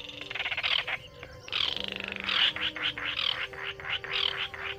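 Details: Baillon's crake at night: a series of dry, machine-gun-like rattles in short bursts, some overlapping, against faint low tonal hums.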